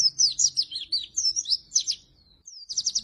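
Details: Oriental white-eye singing hard, a recording meant to lure and train lazy-singing white-eyes: fast, high chattering trills of looping notes, a short pause with a lone rising whistle, then rapid staccato notes resume.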